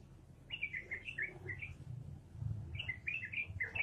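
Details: Yellow-vented bulbul in full 'gacor' form giving two bubbly 'ropelan' style phrases, each a quick run of slurred, chortling notes, split by a silent gap, over low background noise.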